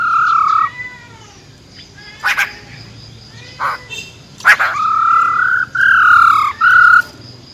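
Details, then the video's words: Wild-type forest song of a female silver-eared laughingthrush, meant to excite males fast: sustained clear whistles, some slightly rising, broken by short sharp clicks and knocks, with quiet gaps between phrases. "Tiếng Chim Khướu || Khưới Mái Bạc Má RO RO || Giọng Rừng Hót Chuẩn - Kích Trống Lên Lửa Cực Nhanh"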